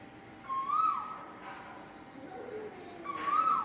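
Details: An Asian koel (Eudynamys scolopaceus) sings two clear, rising 'ko-el' notes about two and a half seconds apart, with a faint, high, thin tone in the background.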